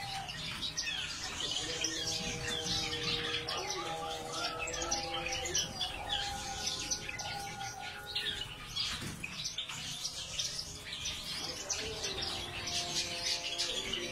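Gouldian finches give a busy, overlapping stream of thin, high chirps and tweets, about one or two a second, over steady low humming tones.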